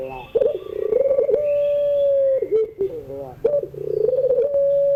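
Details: Puter pelung dove in the evening, crying-style song used for tutoring young birds: a rolling, pulsing coo swells into a long level note, then a dip and softer burbling before the pattern starts again; faint background hum.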